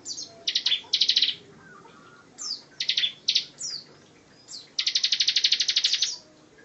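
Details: Dense, rapid song of a bar-winged prinia, meant for teaching other cage songbirds: short high chips and buzzy trill bursts, ending in a long rattling trill of evenly repeated notes.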